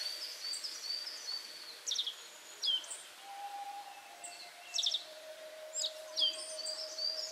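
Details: Black-faced bunting perched on a cherry tree branch, singing short, high, chirpy phrases every second or two with brief trills, over a faint steady low drone and soft background hiss.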